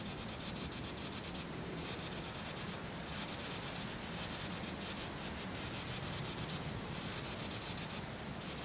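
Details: Carolina wren giving an alarm or warning call, possibly in response to pishing: harsh, hissing rasps in fast runs about a second long, repeated with short gaps, over a low steady rumble.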